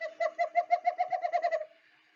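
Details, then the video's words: A Western Screech-Owl in British Columbia's Fraser Valley gives its subtle bouncing-ball call: about eleven soft, mellow hoots that run together, quickening and falling lower toward the end, lasting under two seconds, in a quiet room. "So again, that's the call of the screech-owl."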